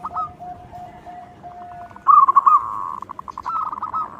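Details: Loud local zebra dove song used to draw out other doves. Soft, lower repeated notes open, then a strong trilled phrase, a long sustained purr and a string of fast coos.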